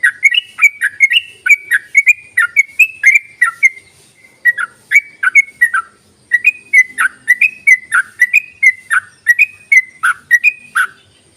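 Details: Yellow-vented bulbul, used as a lure to make idle bulbuls sing, giving a long run of bubbly, warbled phrases. Short liquid notes rise and fall and repeat rapidly, with brief pauses, over a faint high steady tone.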